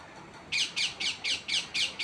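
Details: Tree parrot repeating short, hoarse squawks at an even pace of about three per second, each note a brief harsh burst, with little else heard besides a faint background hiss.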